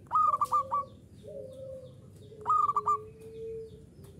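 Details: Local zebra dove giving two bursts of rapid, bubbling cooing notes about two seconds apart. Long, soft, lower-pitched humming tones fill the gaps.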